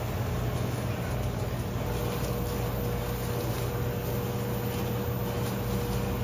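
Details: Constant low mechanical hum with steady droning tones, like a running engine or machinery, and no calls.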